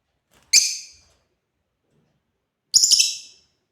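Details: African lovebirds at play: a single harsh, high, scratchy chirp, then two seconds later a rapid stuttering burst of several chirps, in otherwise quiet surroundings.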